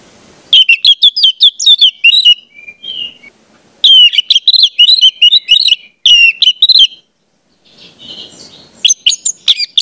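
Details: Orange-headed thrush singing, used as a training recording for juvenile birds: loud, fast runs of varied chirps and whistles in phrases of about two seconds, separated by short pauses.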